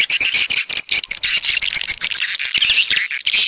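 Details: A short burst of coastal swiftlet calls from the south: high, piercing chirps and buzzy twitters over quick clicks, with several birds overlapping.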